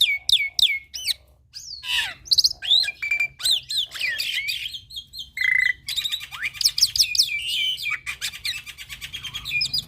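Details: Lively young black-winged myna in full-content tutor song: quick downslurred whistles, harsh churring notes, a buzzy flat tone, then a long dense stretch of rapid chattering trills and squeaks.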